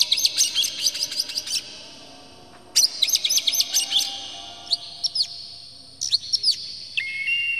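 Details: Provoking Oriental magpie-robin song: quick runs of sharp, clipped high notes in two bursts, then sparser slurred notes and a short clear whistle at the end.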